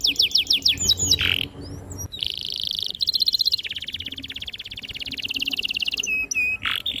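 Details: Canary singing a long, vigorous training song for young canaries: quick whistled upsweeps, then sustained rolling trills and rapid buzzy rattles, ending in short clear whistles.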